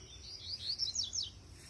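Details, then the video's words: Double-collared seedeater with three moults, fed brachiaria seed, sings a short burst of high, thin, slurred notes that rise and fall over about one second, with faint low background rumble. "coleiro 25 na semente braquiária"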